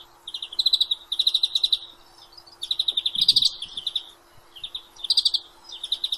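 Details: European greenfinch delivering repeated bursts of quick, bright twittering trills, roughly one phrase per second, with a brief low knock in the background midway.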